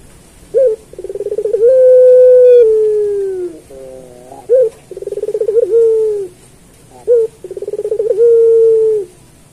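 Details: Puter pelung turtle dove singing a master song for training other pelung doves: three repeated phrases, each a short note, a rapid pulsed trill, then a long, low, steady coo that slowly falls away.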